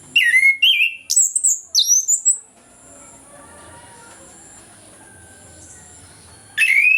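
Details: Morning ngeplong song of an orange-headed thrush, meant to coax reluctant birds to sing: loud, rapid strings of slurred whistled notes sweeping down and up, ending after two seconds, then quiet until a new phrase starts.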